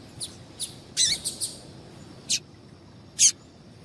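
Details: A female double-collared seedeater giving calls that prompt males to sing: a run of short, high, clipped chirps, some soft and some loud, ending with two well-spaced bright notes; a low steady hum sits underneath.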